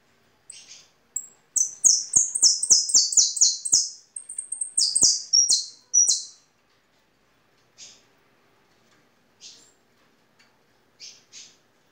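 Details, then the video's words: European goldfinch song: a few scratchy chips, then a long run of loud, high, falling notes in rapid series, followed by sparse short buzzy calls with quiet gaps. "Jilguero de canto"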